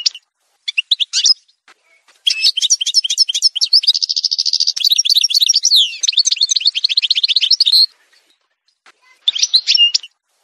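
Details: Algerian goldfinch montage song: scattered twitters, then a long continuous phrase of fast tinkling notes with a sustained buzzy trill in the middle and sweeping slurred notes, ending with a short burst.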